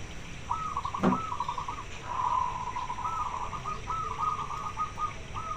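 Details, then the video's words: Zebra dove, a local bird calling for a mate, gives repeated rolling trilled coo phrases over steady hiss and low rumbling background noise, with one sharp click. "Perkutut lokal gacor suara besar pengen kawin manggil jantan"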